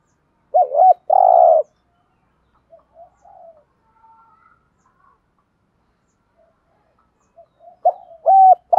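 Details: Spotted dove's 'thúc gù' coo, meant to get birds answering: a warbled double note and long steady coo, several seconds of faint murmurs, then a second phrase starting at the end.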